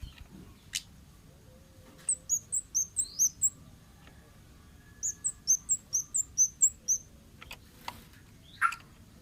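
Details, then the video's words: Wild orange-headed thrush singing, meant as a lure recording: two quick bursts of thin, high, repeated chirping notes, each burst around a second long and separated by a pause, over a quiet background. "suara burung Kemade ngalas"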